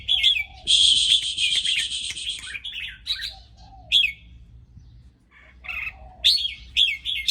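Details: An excited red-whiskered bulbul opens with a whistled note, then a long harsh buzzing rattle of nearly two seconds, followed by scattered bright whistled chirps and warbled phrases after a short pause.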